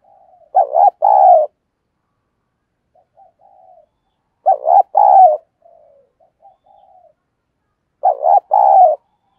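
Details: Decoy spotted dove from Vietnam cooing eagerly to lure wild doves: three loud throaty two-part coo phrases about every four seconds, with faint soft murmuring coos between them and no other sounds.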